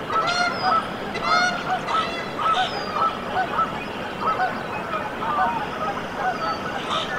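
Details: Goslings hatching in a Canada goose nest at Decorah, Iowa, USA, 14 April 2024: harsh stacked honks at the start, then a run of quick, clear piping notes, several per second, over constant hiss.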